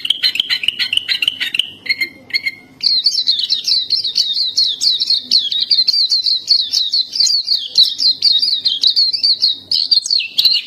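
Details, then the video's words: Black-capped white-eye 'gacor' tutor song. Stuttering mid-pitched chirps and a few lower notes come first, then a long, dense run of high, rapid twittering for the rest of the stretch. "Masteran suara burung Pleci Topi Hitam/Dahi Hitam gacor"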